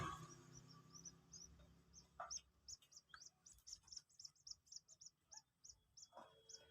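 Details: Common Moorhen chick, two days old, learning to take feed by hand: steady series of short, high, piping peeps, roughly three a second, with clicks and soft handling noises between.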